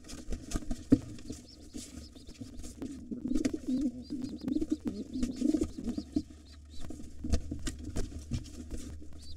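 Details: Two wild pigeons fight over a nest with two nestlings, a gray intruder against the returning white father. A run of deep, burbling coos fills the middle stretch, among scraping and thumping sounds over a low background hum.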